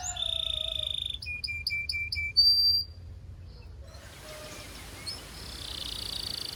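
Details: Belgian canary giving a few sustained whistles and short repeated chips over about three seconds, after which only a faint hiss remains.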